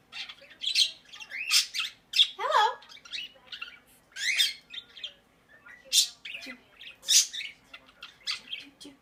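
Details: A pet monk parakeet (Myiopsitta monachus) gives a busy run of harsh squawks, chatters and rising whistled notes indoors, with one lower downward-swept note midway.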